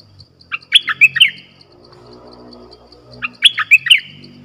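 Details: Decoy bulbul in a cage, sounding its luring song on 18 December 2021: two short, fluty, bubbling phrases about two and a half seconds apart, over soft background rumble and faint ticking.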